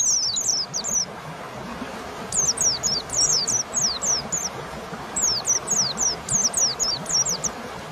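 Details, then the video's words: Song used to rouse a lazy pet white-eye at home: short clusters of two to four bright, high, descending whistled notes repeat steadily across the whole stretch, with a low murmur of background noise. "Masteran pleci malas bunyi yang dirumah paati nyaut"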